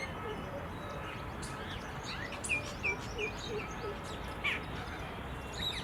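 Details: A cluster of Indian silverbills calling: thin, short high notes given in a loose series, several within two seconds, then a lone note, all set against a broad rumbling background noise.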